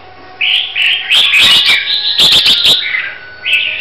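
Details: Red-whiskered bulbul of the Hue type from Vietnam, groomed for singing competition, delivering bright warbled phrases of quick rising and falling whistles, bunched into a dense, chattering run in the middle.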